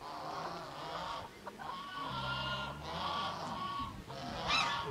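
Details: Red junglefowl in breeding season giving loud, nasal, honking calls in drawn-out bursts about a second long, repeated with brief pauses, ending in a sharper squawk.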